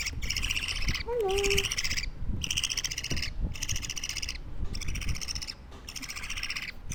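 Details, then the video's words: A two-week-old baby budgerigar kept as a pet gives harsh, raspy, buzzing bursts, each about a second long, repeated with short pauses between. Low background rumble and a brief voice-like tone near the start. "Sounds baby parakeets make"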